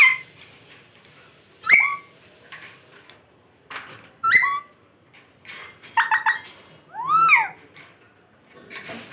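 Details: Pet parrot, said to be talking indoors: sharp bent whistles and squawks at irregular intervals, with a rapid stuttering run of clicks and a looping, arched whistled phrase near the end.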